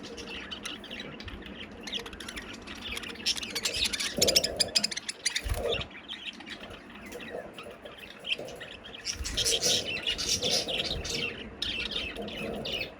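Budgerigars chirp and chatter in a busy, overlapping stream of high twittering notes.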